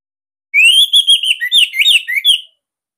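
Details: A loud, continuous two-second warble of rich whistled notes from a captive Bali Orange-headed thrush kept as a master bird, with rising and falling slurs and quick modulated turns.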